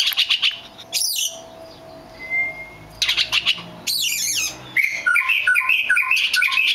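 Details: The rare black magpie robin delivers harsh scratchy bursts and a lone thin whistle, then breaks into a rapid series of bright, bouncing whistled notes rising and dipping in pitch.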